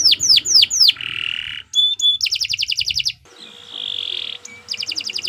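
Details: Canary singing a varied, continuous tutor song: repeated falling whistles, a buzzy tone, metallic notes, quick rhythmic trills, a drawn-out buzzy phrase, then another rapid trill.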